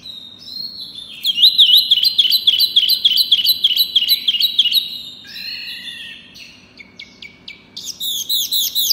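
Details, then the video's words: Pygmy cupwing singing hard: a fast warbling trill of wavy high notes for nearly four seconds, followed by lower buzzy notes, a short whistle and a final burst of rapid high chips. "Si Kecil Wambi Mini Gacor Suara Keras Lantang Jos"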